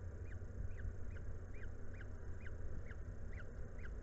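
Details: At a Polish peregrine falcon nest in Włocławek, 17 May 2022, food delivered by the female; evenly spaced, slightly downslurred kek calls about twice per second, with loud industrial rumble underneath.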